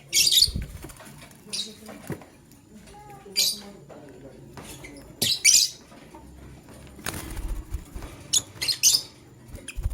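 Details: A male lovebird choosing a partner chirps in loud, shrill, scratchy bursts about every second or two, some paired closely together, over faint background shuffling.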